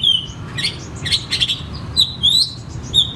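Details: Oriental magpie-robin song used to stimulate reluctant birds to sing. High whistles slide down, mixed with scratchy chattering bursts and short clear slurred notes. Low hum in the background.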